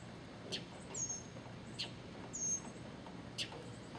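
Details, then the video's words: Northern mockingbird in Okeechobee singing a repeated short phrase: a sharp high chip, then a thin high whistle, about every one and a half seconds, over a low traffic rumble. "Mocking Bird Singing"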